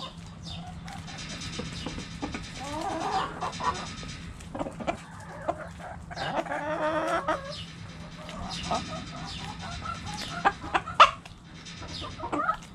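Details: Backyard chickens going after a cabbage, bursts of clustered clucking in the middle, quieter stretches, and a few sharp clicks and knocks toward the end.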